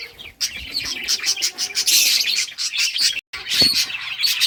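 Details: A group of playing budgies chirping rapidly in bright, overlapping bursts, with a brief silent break near three seconds before the chatter resumes.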